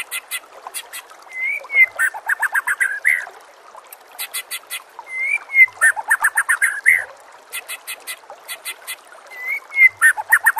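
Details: White-rumped shama song meant as a master recording for training other birds: three similar phrases, each opening with a rising whistle and running into fast, buzzy, rattling notes, separated by short pauses.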